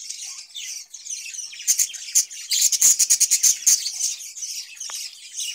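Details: Caged budgerigars kept in summer, when they are given cucumber; a dense, high chattering warble with buzzy scratchy notes, then a quick burst of sharp clicking ticks around the middle, fading back to softer chatter.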